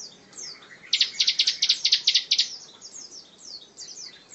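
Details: Tight, dense 'tembakan rapat' song from a bar-winged prinia, recorded to train other songbirds: about a dozen loud, sharp high notes in quick succession, followed by softer downslurred chirps.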